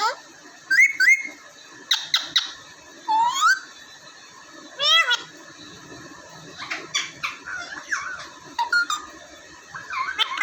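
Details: Pet talking parrots, two raw parrots and one ordinary parrot kept indoors in Vehari, Punjab, Pakistan, recorded on mobile phone: scattered harmonic squawks and rising whistled notes in short bursts, quiet gaps between, faint room hiss.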